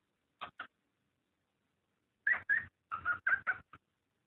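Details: Cockatiel mating call, played to stimulate breeding: two short harsh chattering notes, a pause of over a second, then a burst of about seven rasping syllables in quick succession against silence.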